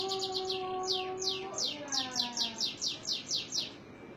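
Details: A canary (Serinus canaria) in Indonesia sings a fast rolling tour of bright, descending whistled notes, repeated about three per second, over low steady tones early on.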